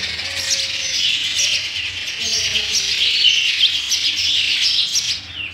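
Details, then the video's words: Sparrow chicks fed in their nest, making a continuous high, thin twittering chorus that stays steady, with a few faint lower tones in the background. "sparrow bird feeding their chicks in the nest"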